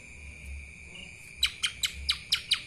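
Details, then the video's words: Kapas tembak style from a lesser green leafbird: a quiet start, then six spaced, crisp, high chips, each a short downward flick, above a constant thin electronic-sounding tone. "CUCAK ijo mini Fulll suara KAPAS TEMBAK...!"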